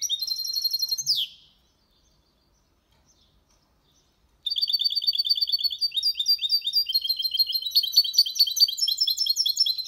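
A goldfinch mule sings a bright, rapid twittering song of high tinkling notes and trills, broken by a few seconds of silence before resuming.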